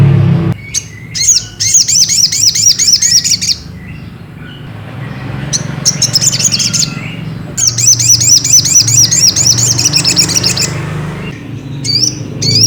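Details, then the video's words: Lure song of a Ruby-cheeked sunbird meant to make another bird sing: long runs of quick, high, looping chirps repeated several times a second, with short pauses between bursts and a low hum behind. "bikin SOGOK ONTONG tambah EMOSI || PANCINGAN SOGON agar BUNYI"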